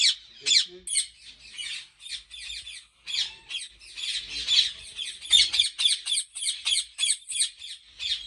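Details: Many ringneck parrots at a breeding farm in Pakistan giving dense, overlapping harsh screeches that build into a rapid chattering chorus, with a faint voice near the start.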